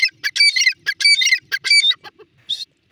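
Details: Female grey francolin calling in a series of grating, squeaky bursts that trail off into a few softer, separate notes.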